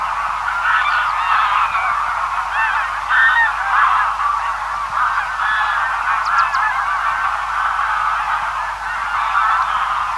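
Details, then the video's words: Distant large feeding flock of Greylag Geese giving a steady babble of overlapping honks, some clearer individual calls rising out of the mass, with a few faint high chirps near the middle. "Greylag Goose. Distant Calls From A Large Feeding Flock"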